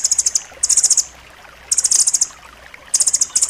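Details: Banded rambatan recorded as training song for caged birds, tight and sharp: short, high, rapid trill bursts of clipped notes, four bursts with uneven gaps of about half a second to a second.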